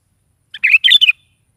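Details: Lively gacor morning song from a sooty-headed bulbul, used to lure a pet bird into answering: a brisk phrase of sweet, slurred whistles and chatter in three rapid bursts, crisp and isolated with no background noise.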